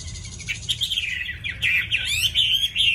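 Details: Chinese hwamei kept in a cage, singing a fast, dense run of bright warbled whistles that tumble and twist without pause.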